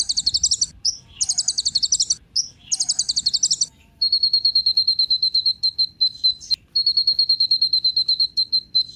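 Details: Kolibri ninja, a sunbird, singing as a prompt for other birds: three high buzzy rattling bursts, then a long, even, rapid ticking trill held at one thin pitch.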